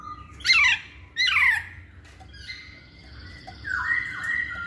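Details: Masked laughingthrush in a lure recording meant to prompt males that rarely sing. Two loud harsh descending squawks, then softer sustained whistled notes with a faint steady hum.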